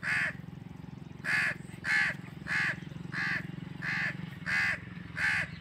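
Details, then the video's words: Crow cawing naturally, a series of eight harsh, nasal calls at roughly half-second to one-second intervals, with a constant low droning hum underneath. "crow bird crowing sound | crow ki awaz naturally | कौवा पक्षी कौवा ध्वनि | کوے پرندے کی کی آواز"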